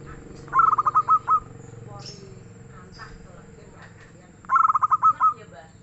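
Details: Singing freely in a soft, mellow tone, a local zebra dove gives two low cooing phrases about four seconds apart, each a quick run of hollow pulses closing with longer drawn notes; faint chirps from other birds between.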